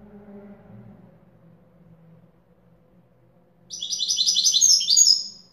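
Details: Authentic Widani-style song of a European goldfinch: after several seconds of low background hum, a loud, dense two-second run of ringing, rapid twitters starts.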